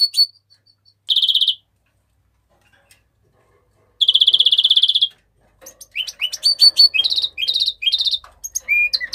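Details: Mexican rosefinch song with two short, dense buzzy trills separated by silence, followed by a lively run of varied chirps and upward-sweeping notes.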